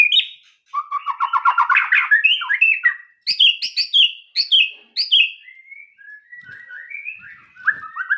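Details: A white-rumped shama delivers a rapid rattling trill, then a run of repeated sharp high whistled notes about every half second, fading into softer twittering.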